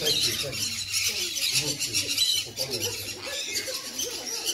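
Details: Shrill, grating screeches from a sun conure run almost without pause through the first two seconds, then come in scattered bursts, while a human voice murmurs in the background.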